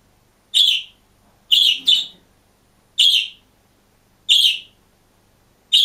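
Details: Caged budgerigar on its own, chirping: loud, sharp, bright chirps with a buzzy edge, given singly or as a quick double, repeated roughly every second, with silence between.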